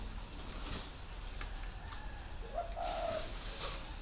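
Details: Wild field spotted dove giving one short, hollow, low coo phrase late in the recording, a slightly rising then level tone, over a constant thin high-pitched whine and soft background hiss.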